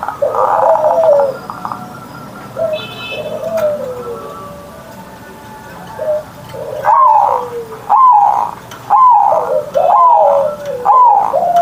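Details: Zebra dove, a hobby bird singing each morning with a big voice. Scattered softer falling coos come first, then loud coos with falling tails repeat roughly every second toward the end.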